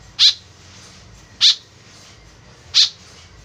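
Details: White-breasted woodswallow lure call: three short, rasping high notes repeated roughly every 1.2 seconds, each clipped and loud, quiet hiss in the gaps.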